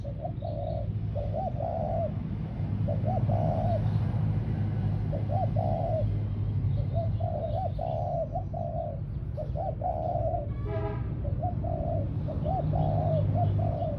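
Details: Spotted dove kept as a ground decoy, cooing on and off for about fourteen seconds. The low hollow phrases are paired or grouped, with a brief rattling sound near the end and constant low background hum.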